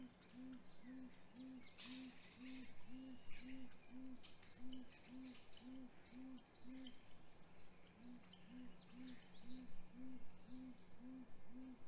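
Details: Great grey owls during hatch week at a nest, 7:26 am, 27 April 2020, vocalizing as the male hands prey to the female: a long run of roughly twenty low, regular hoots, with a brief pause, over chirping songbirds and a sharp call.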